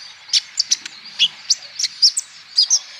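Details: Male olive-backed sunbird song, played to stimulate other birds into singing: spaced, high, piercing chirps and thin rising-falling notes, roughly two per second, irregular in timing, over a faint hiss.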